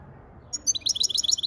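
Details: Lively European goldfinch song: tinkling, high twitters that build into a dense, rapid cascade of chirping notes over about one second, with a quiet background.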